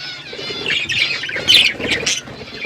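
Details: Flock of budgies in an outdoor aviary: steady warbling chatter with a louder squeaky chirp burst in the middle.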